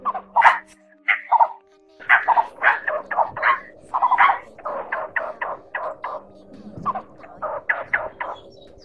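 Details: Male and female blue-bearded bee-eaters calling the flock, used as a trapping lure: a long run of gruff, cackling notes, sparse at first and then packed into a steady chattering series, over a low background hum.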